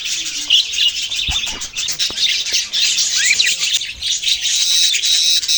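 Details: Budgerigars chirping together: a dense, continuous mix of bright warbles, squeaks and high chatter from many overlapping birds, with no pauses.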